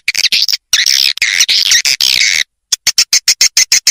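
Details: Swiftlet-farming lure of edible-nest swiftlet calls, meant to draw birds into bird houses: dense bursts of high rasping twitter, a short silence, then a run of evenly spaced sharp chirps.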